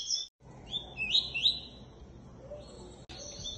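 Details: A captive Double-collared Seedeater at a breeder sings a quick run of high, sharp whistled notes in the tuí-tuí style, some sliding upward. A faint low hum sits beneath.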